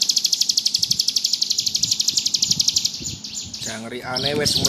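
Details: Bar-winged prinia (ciblek gunung) giving a fast, even, buzzy trill of sharp high pulses, about four per second, for over three seconds, in ngebrem style; a person then talks.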